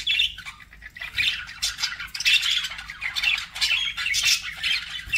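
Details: Pet budgerigars chirp and squawk in a lively, grating warble of rapid high notes that swells and fades every second or so.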